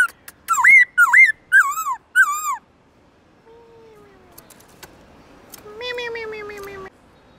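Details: Forest-voice song of a Black-throated laughingthrush, long, loud and clear. Four quick, twisting whistled phrases open the clip. After a pause come fainter, lower drawn-out tones, and near the end a softer warbling note.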